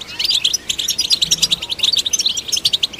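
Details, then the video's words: Singing European goldfinch, recorded to stimulate other goldfinches, pours out a rapid string of bright, clipped chirps and liquid twitters without pause. "Golden Songbird vocal performance to stimulate the goldfinch"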